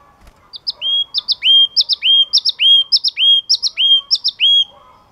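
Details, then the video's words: Yellow-cheeked tit song: a double high chip followed by a long downslurred whistle that levels off, the phrase repeated steadily almost twice a second, loud and clean. "Chim Chi Chi Mào Hót Cực Hay"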